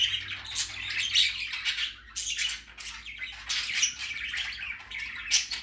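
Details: First outing of a baby budgerigar: scratchy squawks and bright chirps in uneven bursts, with a short pause near the middle, over a faint low hum.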